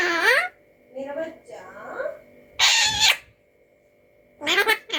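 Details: Pet Alexandrine parakeet imitating human speech in a small room: nasal, word-like bursts with wavering pitch, a few quieter murmured syllables, then louder, harsher spoken sounds after a pause.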